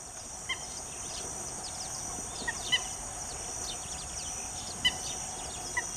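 Short, clipped clucks from a Common Gallinule come singly or in quick pairs every couple of seconds, over a steady high hiss and faint chirps.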